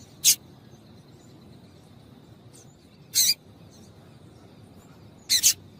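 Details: A female yellow-bellied seedeater gives calls to excite males for tournament singing. Three high, sharp notes come roughly every two to three seconds, the last split into a quick double, over low steady background noise.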